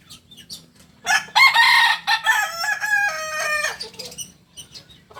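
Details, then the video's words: Kukuak Balenggek rooster, native chicken of Solok in West Sumatra, gives a loud harmonic crow opening with a strong note, then a long string of stepped syllables descending in pitch, lasting nearly three seconds; soft low background noise. "Ayam kukuak balenggek ayam asli solok sumbar"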